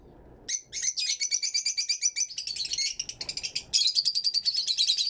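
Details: Fischer's lovebirds kept in an aviary chattering in a continuous run of shrill, rapid, buzzy chirps, the notes tumbling quickly one after another with barely a pause.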